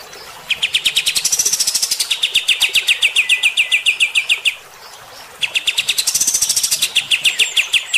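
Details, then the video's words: Kapas tembak bulbul giving coarse shooting-style song to stir up fighter birds: two long volleys of rapid ringing chips, high sizzling notes shifting to lower ones, separated by a brief quiet break. "AUDIO KAPAS TEMBAK GACOR MBESET TEMBAKAN KASAR. BIKIN EMOSI BURUNG TIPE FIGTER"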